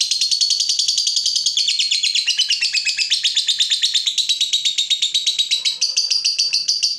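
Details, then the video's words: Fighter lovebird worked up on seeing a rival, giving a dense unbroken chatter of rapid high notes that waver slightly in pitch, steady and loud throughout. "Terpancing Emosi Begitu Lihat Lawan, Lovebird Fighter ini Langsung Narung"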